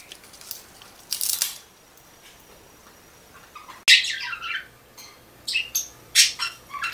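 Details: A pet budgie at home makes short high chirps, one burst early, then a run of quick scratchy notes and several sharp chirps spaced about half a second apart.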